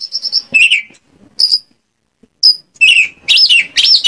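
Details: Oriental magpie-robin from Indonesia singing a lure song meant to draw replies from other magpie-robins: sharp high whistles and falling slurred notes separated by short silences, ending in loud rising-and-falling sweeps.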